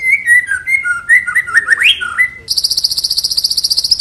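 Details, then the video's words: Long-tailed white-rumped shama singing in full, vigorous voice: a run of clear varied whistled phrases rising and falling for over two seconds, then a dense high buzzy trill with rapid even pulses takes over to the end. "burung murai batu ekor panjang gacor dorr"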